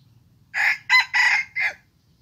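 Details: Young decoy red junglefowl cock on its first trapping outing crows in four harsh syllables, a short first, brief second, long third and clipped fourth, over low background rumble.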